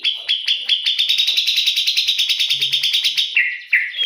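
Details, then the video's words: White-rumped shama singing in the morning: a loud, rapid train of sharp clear notes, about five per second, holding a steady high pitch, then dropping to a few lower whistled phrases at the end. "Murai berkicau di pagi hari"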